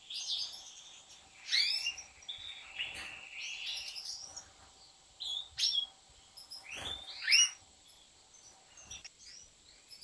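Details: Captive European goldfinches in a large aviary kept by professional breeders sing liquid, twittering phrases of quick rising and falling notes, loud, clear bursts separated by short gaps.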